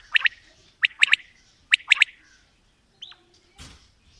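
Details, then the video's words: Quails, female and male, calling: three clusters of sharp doubled chirps, then a single rising-falling whistle and a brief noisy thump near the end. "Female Batair Calling | Male Batair Sounds | Mix Calling| Batair Ki Awaz | Batair Ki lambi Awazay"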